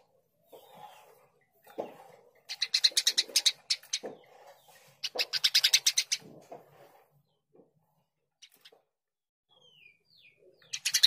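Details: Eurasian tree sparrow singing vigorously: two long, fast series of harsh chirps with soft low notes between, then faint thin whistles and a closing chirp burst.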